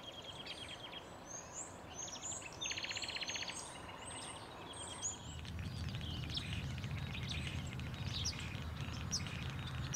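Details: In Thessaloniki, Greece, in April 2024, a common starling gives a busy jumble of clicks, rattles and thin whistles over the first five seconds, then a low rumble of wind or traffic takes over.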